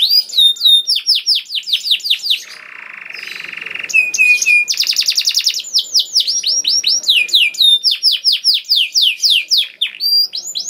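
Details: Canary in energetic song, played to spur other canaries into singing: quick downward-sweeping whistles, a lower buzzy churring tour, then a fast rattling trill and further bright swept notes, all clear and close.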